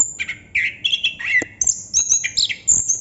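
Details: Anis kembang, or chestnut-capped thrush, in ngerol song: rich warbled whistles in the middle range leading into thin, high squeaky phrases.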